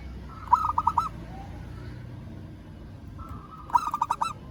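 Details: Calling a rival, a local zebra dove gives two phrases, each beginning with a drawn-out lead note and then a rapid string of four or five staccato coos, separated by about three seconds of quiet.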